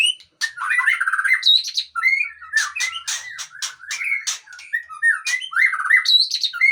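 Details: White-rumped shama, known locally as Murai Aceh, a long-tailed bird, singing a rich varied song of clear whistled phrases, rising and falling notes and quick chattering trills mixed with sharp harsh notes, delivered almost continuously with brief pauses.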